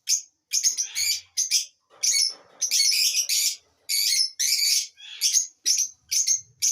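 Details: High, scratchy chirps from a lovebird, delivered in steady irregular bursts of harsh, buzzy notes with short gaps, some bursts longer and chattering, others single clipped squeaks.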